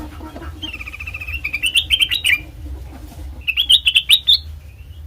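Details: Black-crested bulbul singing as a lure for bird trapping, with a thin steady whistle leading into quick, bubbling, slightly rising chattered phrases, then a second burst of sharp warbled notes over a low hum.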